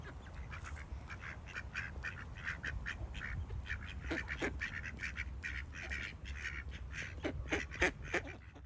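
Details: Ducks feeding and quacking in a dense, overlapping chorus of short nasal quacks, about three per second throughout, with a few deeper honk-like notes midway and low background noise.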